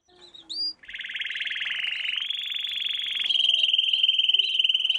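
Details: Canary song from a training lesson for young canaries: after two brief upward whistles, a long, fast buzzing trill sets in, stepping higher near the middle and turning into a steady, rapid pulsed roll through to the end.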